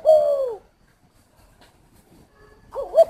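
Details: Spotted dove giving one long, smooth, falling coo, then a pause of near silence before another phrase begins at the end.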